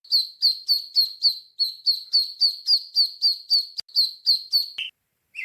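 A duckling peeps in a fast, steady series of thin, high notes, three to four each second, with two lower, rougher notes at the end.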